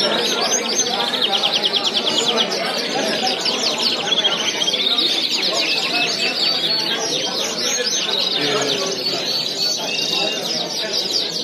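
A Border canary sings a long, unbroken song of bright, rapid trills and rolling phrases, high-pitched and shifting between runs of quick repeated notes.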